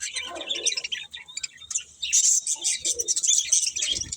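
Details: Budgerigars chatter in soft warbles, then a louder burst of bright overlapping chirps and squeaky twitters from several birds.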